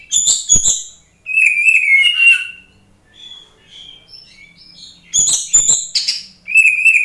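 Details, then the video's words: Song of an oriental magpie-robin used as a lure to test how quickly a rival bird reacts and fights: harsh clicking bursts alternate with clear, slightly wavering whistles, then a fresh run of sharp notes and whistles. "SUARA KACER GACOR UNTUK PANCINGAN, TES SEBERAPA CEPAT RESPON KACER ANDA"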